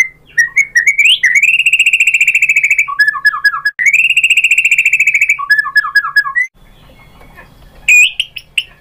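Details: White-rumped shama lure song to provoke a bird into singing: long sustained buzzy trills held at one pitch for over a second, broken by quick falling whistled note series, then a short quiet gap and a final loud note.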